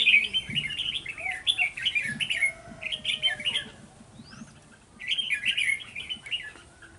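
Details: Red-whiskered bulbul used as a decoy in bird trapping, dated 11 November 2018: rich warbled phrases of short rising and falling notes in quick bursts, a pause, then another burst, with faint low voices beneath.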